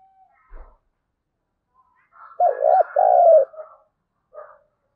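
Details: Spotted dove using the 'thúc gù' call in a 'thổ đồng' voice to provoke wild doves. After faint ticks, a tight cluster of three short wavering coos runs straight into a long level coo, then a brief soft note.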